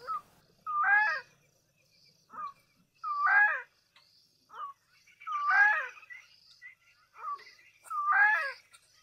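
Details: Bronze-winged Courser in Southern Africa gives harsh, slurred, mid-pitched calls about every two seconds, a short clipped note alternating with a longer rising-and-falling phrase, over a quiet background.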